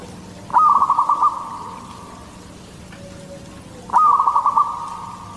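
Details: Two short phrases of quick, stuttering coos on a level tone from a local zebra dove of the Katuranggan Cendolo Sabdo type, singing to attract other zebra doves, with roughly three seconds between phrases.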